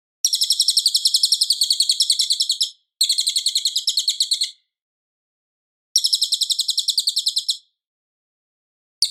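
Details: Cililin in loud, clear, full song, used as a master recording for training White-rumped Shamas: three long, rapid chattering trills of high buzzy repeated notes, each two to three seconds, separated by silent pauses.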